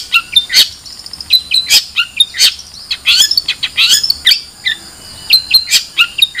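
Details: Long-tailed shrike in a lively, varied outpouring of sharp chirps, squeaky slurred notes and clicking ticks, delivered in rapid uneven clusters with hardly a pause.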